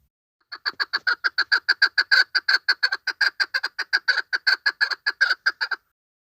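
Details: Chukar partridge female lure call for hunting: a dense, rapid series of raspy chuk notes repeated evenly for about five seconds, then stopping.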